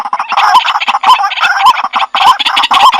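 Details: White-breasted waterhen calling: dense harsh, nasal croaking notes run together in a rapid rhythmic chorus, roughly two per second, with a loud steady background of overlapping calls.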